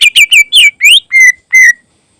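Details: Greater green leafbird song with mimicked phrases, kept as a tutor recording for other birds. A quick run of rich, slurred whistles rises, then steadies into two longer level whistled notes, each fading out.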